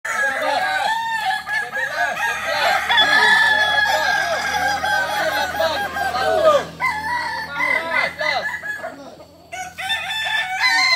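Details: Kukuak Balenggek roosters at a joint crowing practice held like a real contest, where birds crowing most often win; many long, multi-note crows overlap continuously, stepped and wavering, with a brief lull near the end before crowing resumes.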